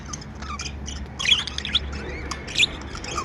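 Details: Pet budgerigars chirping happily, with a few short squeaky chirp clusters over a steady low hum, the loudest bursts separated by roughly a second.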